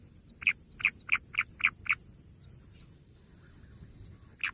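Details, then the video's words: Six quick, bright bush quail notes in a rapid series, then a pause of quiet hiss, and a single note at the end. "bush quail sound"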